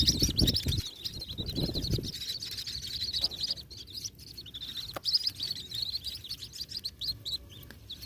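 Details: A White-breasted Waterhen chick eating a small grasshopper gives a fast, steady stream of thin, high peeps, several each second, over dull low thumps at the start.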